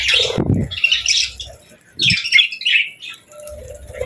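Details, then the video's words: Cheerful pet budgies chatter in quick warbling phrases of twittering, squeaky chirps, separated by brief pauses. Soft low knocks sound underneath. "Budgie Chirping Sounds: Happy Birds"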